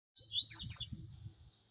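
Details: Double-collared seedeater singing a short burst of rapid, high, buzzy twittering notes with sliding whistles, lasting about a second, over faint low rumbling.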